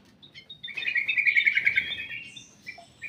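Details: A ruby-throated bulbul in a private aviary gives a bright, rapidly pulsed warbling phrase of repeated notes, trailing off into short separate chirps with low background rumble.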